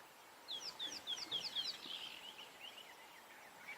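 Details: Fork-tailed Drongos gathering in a tree at sunrise on 1 February 2022, possibly about to mob a perched bird amid alarm calling: a rapid run of a dozen sharp, high, slurred notes, then fainter calls over soft hiss.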